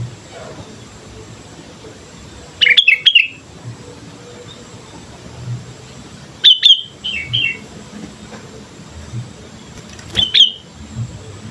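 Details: Vocal sooty-headed bulbul recorded as a training lure, giving three clusters of quick, high chirps with short trailing notes, separated by pauses of several seconds against a faint low hum.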